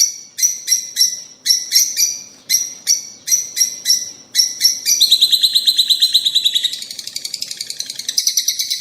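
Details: Rosy-faced and Fischer's lovebirds calling to prompt mating: about eight seconds of rhythmic harsh chirps in quick pairs, merging into a continuous, fast, buzzy chatter that rises in pitch toward the end.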